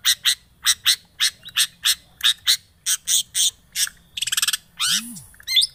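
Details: Long-tailed shrike lure recording to get a quiet shrike singing: a steady string of harsh, buzzy notes about three per second, then a rapid rattle, a broad grating rasp and a low rising-falling sound.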